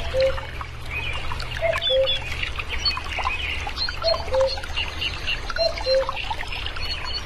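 Short, low whistled quail notes repeat about every second and a half, over busy higher chirping from other birds and a steady trickle of running water.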